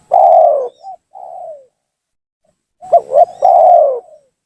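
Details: Spotted dove lure call aimed at provoking rival doves: a long falling coo and softer trailing notes, then after a pause a quick double coo and another long drawn coo.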